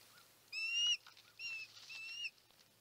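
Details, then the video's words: Osprey at the Chesapeake nest, 23 March 2018, during a big food delivery to the female: two drawn-out whistled calls, each slightly rising then level, with faint softer chirps between them and a low hum underneath. "BIG delivery for Audrey at Chesapeake Ospreys nest"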